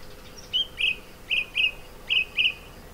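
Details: Song thrush male in Sueca, Valencia, Spain, singing among neglected orange groves where the species now breeds: clear whistled phrases delivered in pairs, each pair repeated three times, over a quiet background.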